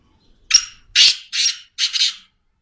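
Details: Close, loud black francolin call of four harsh, buzzy notes: a sharp opening note, then three broader grating syllables in steady rhythm, ending within about two seconds in a quiet setting.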